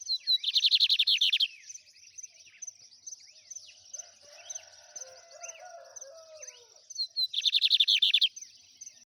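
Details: Trem bala song of a lined seedeater: a fast buzzy trill of repeated notes opens and closes the passage, separated by quieter high chirping with faint lower sounds in between.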